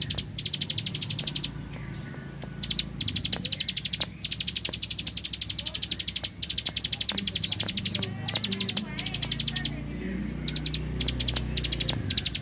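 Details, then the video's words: Bar-winged prinia of the rice fields in full machine-gun burst song: sustained rapid high ticks in long unbroken runs with brief gaps, over a steady low rumble, scattered sharp clicks and faint other chirps. "Prenjak Klik Klik Burung Sawah Gacor Tembakan Bren Keteran"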